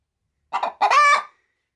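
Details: Egg-laying pet hen settled in a feed sack gives a single cackle as someone approaches: a quick double cluck leading straight into one drawn-out, harsh, nasal squawk.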